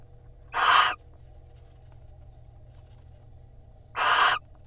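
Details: Barn owl pair, male and female preening in front of a nest-box camera in Israel on 26 February 2021, giving two harsh, hissing screeches about three seconds apart, each under half a second, over a steady low hum.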